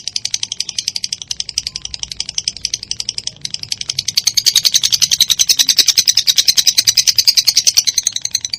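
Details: Lovebird (minor) chatter used to provoke other lovebirds into song: quieter rapid chirping at first, swelling into a loud, dense, buzzy run of high repeated notes that continues steadily to the end.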